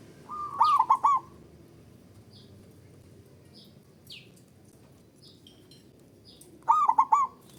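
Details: Male zebra dove call used to raise mating drive in a reluctant caller: two bursts of quick stuttering coos about six seconds apart, with faint high chirps of other small birds in between.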